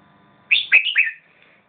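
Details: Red-whiskered bulbul voicing one brief phrase of three liquid whistled notes, the last trailing off gently, over a low faint hum.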